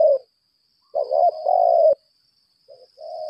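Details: Decoy spotted dove of the 'lambung kuk' type in a fighting display: a short coo, then a stuttered note and long mellow coo, and a soft ending phrase, with a thin high hum throughout.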